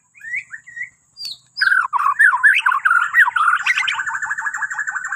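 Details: Borneo white-rumped shama singing as a morning prompt for other birds: a few soft whistles, a pause, then a dense, rolling stream of warbled notes ending in fast rhythmic repeats.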